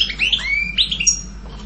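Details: European goldfinch giving a brief series of liquid, upward-sweeping whistled notes, a short fragment under two seconds long.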